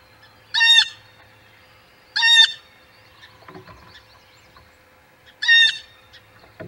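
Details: Blue jay near a nest at the Audubon Boathouse, early morning on 19 April 2020, giving three loud, raspy, harmonic-rich jeer calls spaced a few seconds apart, with faint clicks between them.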